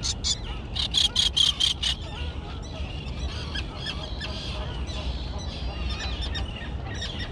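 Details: Young terns that have learned to fly, in their colony on a small island thick with grass. Loud harsh pulsed calls fill the first two seconds, then a softer, distant background chatter continues.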